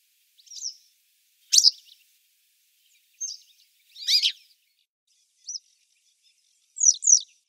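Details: Grey wagtail by the river Lieser in 2017 giving short, sharp, high-pitched call notes, about six bursts spread irregularly over seven seconds, some doubled or slurred, against an otherwise quiet background.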